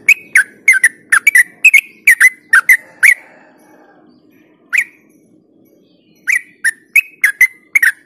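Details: Rapid ropel-style chattering of a yellow-vented bulbul, meant as a lure for birds that rarely sing this way: bursts of brisk, slightly rising and falling chirps broken by a quiet gap with one lone note.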